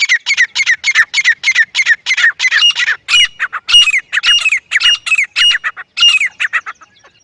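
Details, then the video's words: Grey francolin giving loud, rhythmic, rasping calls repeated about twice a second, each note harsh with a bent, slurred middle tone; the series runs unbroken before fading out at the close. "Desi gery francolin partridge love💞 teetar ki zabardasth sound effect"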